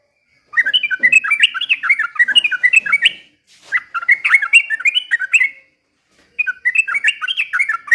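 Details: Trucukan, or yellow-vented bulbul, singing loudly with imitations of white-rumped shama song: three rapid runs of chattering, slurred whistles that rise and fall, broken by brief silent gaps.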